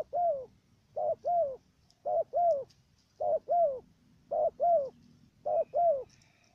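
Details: Stuttering coo of a decoy dove kept for dove trapping in Cà Mau, Vietnam: clipped note then a drawn-out downslurred coo, five evenly spaced pairs roughly every 1.1 seconds, little else audible.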